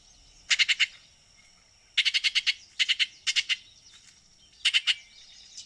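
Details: Rapid dry rattles from a Baltimore oriole, four clusters of four to six harsh clicking notes in quick succession, separated by pauses of about a second, with a faint high tone behind.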